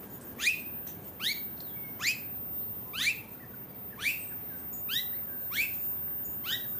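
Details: Australasian figbird recorded on the Sunshine Coast, Queensland, October 2022: a steady run of about eight slurred, down-swooping notes with hooked endings, close to one per second, over faint background noise.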